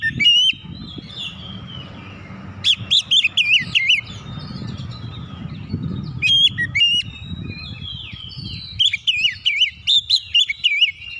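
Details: Oriental magpie-robin singing to provoke other birds into singing: bursts of varied whistled and warbled phrases around high pitch, with sharp upward notes, separated by short pauses, over low background rumble.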